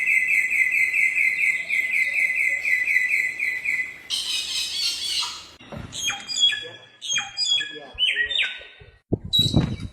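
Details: Samyong (bare-throated whistler) in the wild: a long, rapid, steady trill of whistled notes, then a burst of noise, followed by scattered sharp chirps and whistles.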